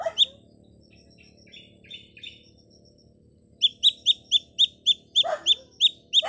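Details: Baby chick calling loudly while looking for its mother: sharp high descending peeps repeated about three or four times per second, after a few faint scattered chirps.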